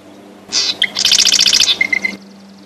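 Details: A North American marsh wren (Cistothorus palustris) sings a buzzy opening note and a short stutter, then a gurgling, rapid rattling trill, followed by three quick, evenly spaced high ticks.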